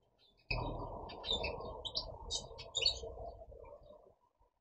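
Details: Goldfinch from a compilation of goldfinch recordings: bright, high chirps and short twittering notes scattered over about three seconds. A loud, steady low rumbling noise runs underneath throughout.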